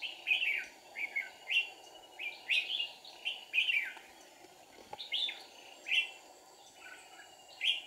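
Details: Red-whiskered bulbul used as a lure while trapping wild birds in deep forest on 1 April 2019: a steady string of clear, bouncy, down-slurred whistled phrases, each under half a second, over a faint continuous hum.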